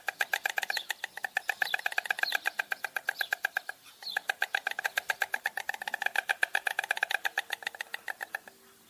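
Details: Stork producing a long, rapid rattle of dry clacks, evenly spaced and sustained for several seconds, with a brief pause midway before the clattering resumes at the same brisk pace.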